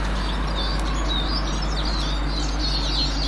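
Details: Twittering Eurasian siskins, recorded 18 March 2024: a stream of high chirps and thin rising and falling whistles, blended over a steady low rumble.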